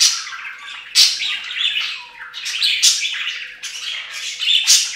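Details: Bathing pet budgies at a fountain give harsh repeated squawks roughly every second over a continuous high chatter.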